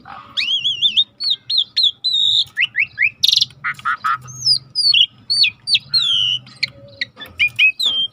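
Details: Energetic starling song used to train other birds: wavering whistled notes, repeated high slurs, a harsh buzzy burst and strings of clear downslurred whistles, with a low hum underneath.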